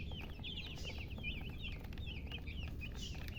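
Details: Young chicken chicks peep in quick bursts, thin high notes that curl up and down, several calls a second, over a persistent low-pitched background hum.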